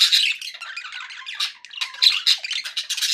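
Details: Cheerful pet budgerigars chattering, a tangle of scratchy trills and sharp squawks, slightly quieter in the middle and rising again in loud bursts.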